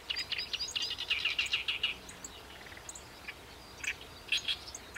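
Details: Chestnut-eared bunting, a summer breeder in rice fields around a Ramsar wetland marsh, gives a rapid jumbled phrase of chirped notes lasting about a second, followed by scattered sharp single notes over quiet background.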